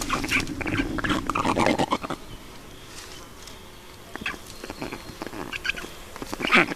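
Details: Black storks at their nest in Estonia on 5 June 2019 at 20:28, as water is brought to the nest: loud, harsh, broadband squawks in bursts at the start and again near the end, with quieter rasping between.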